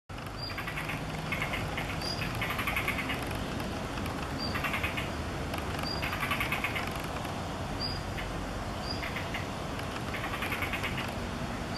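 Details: Female blue rock thrush in an apartment-building corridor on 16 May 2021, bringing food to a fledgling and alarmed by the observer. Short high ticking notes repeat every one to two seconds over steady broadband background noise.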